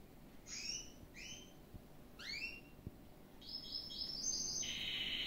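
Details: A canary, labelled Gloster, sings bright, rising chirps in quick groups, then breaks into a rapid, high, rolling trill. Faint low background noise underneath.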